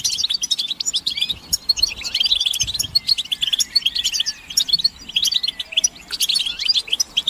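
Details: Chorus of European goldfinches giving mating and readiness calls to stimulate singing: rapid, high tinkling twitters and short trills, many birds overlapping in a continuous lively chatter with occasional quieter moments.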